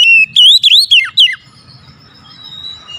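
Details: Oriental magpie-robin singing as a lure for a reluctant bird: about six loud, clear whistled notes in quick succession, each bending up and down, fading into faint low background rumble.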